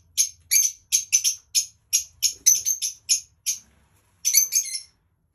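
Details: Dark olive lovebird giving a string of loud, shrill, squeaky chirps at an irregular quick pace, about a dozen notes, ending in a short cluster of rapid chirps before falling quiet.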